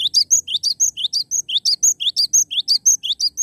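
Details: Lively song of a cinereous tit, high clear whistled two- and three-note phrases repeated rapidly and steadily, about two per second, throughout; the background is quiet apart from faint low rumble.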